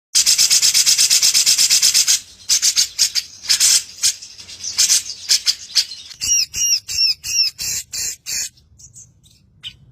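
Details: Grey-cheeked bulbul, kept bird, singing a coarse 'tembakan' fill with long rolling notes, used to stir other birds into song: buzzy high trills for two seconds, then rapid stuttered bursts and a string of clear repeated downslurred whistles.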